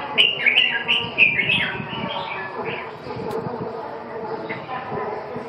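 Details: Red-whiskered bulbul singing a run of quick, liquid whistled notes that bounce up and down, then fade into softer scattered notes against a constant low background rumble.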